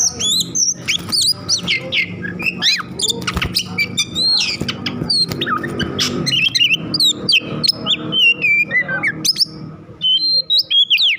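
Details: Oriental magpie-robin singing in an agitated, over-emotional mood meant to make other magpie-robins sing; dense, continuous stream of whistles, chatters and harsh notes over a steady low background hum.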